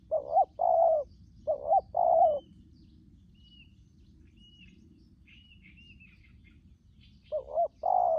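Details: Wild-caught spotted dove used for luring other doves, cooing in short low hollow pairs at the start and again near the end, with a quiet stretch of thin high chirps from other birds in between.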